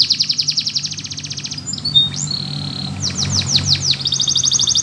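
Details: Russian canary singing a flute-style training song: a long fast rattling trill, a few whistled notes, a string of sweeping slurs, then the trill returns, over a low background hum.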